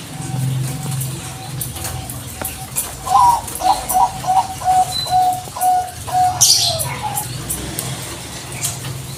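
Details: Zebra dove of the Bangkok type calling to provoke an answer. A rapid string of short coo notes begins with a few higher rising notes, then settles into even repeats. Soft coos come before it and a high chirp follows.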